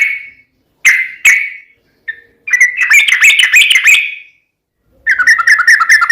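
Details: Sooty-headed bulbul singing energetically: a few separate bright whistled notes, then a fast bubbly run of warbling notes, a pause, and another quick chattering phrase.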